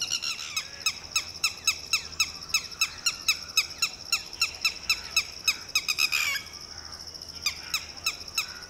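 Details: Red-wattled lapwing female panicking over her two roving chicks and unhatched egg as a Shikra flies low; steady series of short, sharp, descending notes about three per second, then a louder harsh burst and scattered notes.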